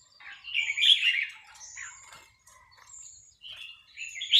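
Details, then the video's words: Red-whiskered bulbul in a practice session on a free day: bright, quick warbled phrases with slurred rising and falling notes, one loud burst near the start and another at the end, separated by quieter twittering. "ซ้อมนกกรงหัวจุก วันว่างๆ"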